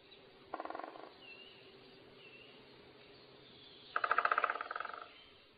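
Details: A crow gives two harsh, rasping caws about three seconds apart, the second longer and louder, with faint thin whistles from another bird, at sunrise over a field in Zealand, Denmark, September 2010.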